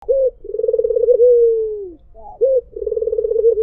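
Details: White Barbary dove cooing: a short rising opening note, then a rolling pulsed coo that settles into a long, smooth, falling note, followed by the same short note and rolling coo again; quiet background.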